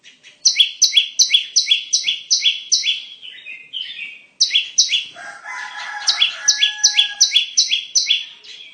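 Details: Bar-winged prinia song used to lure birds for trapping: quick repeated high downslurred double chirps in two runs, with a lower, fainter rattling bird sound between and beneath the second run.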